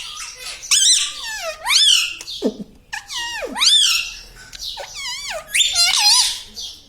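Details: Talking parrot repeating loud, sweeping, harmonic word-like calls that swoop down and up in pitch, about every second, with brief pauses.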